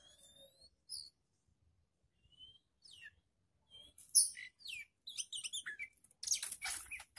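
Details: Young Oriental magpie-robin being tested against other birds: sparse pure whistles and slurred notes at first, building after four seconds into dense, rapid, high chattering phrases with sharp squeaky notes.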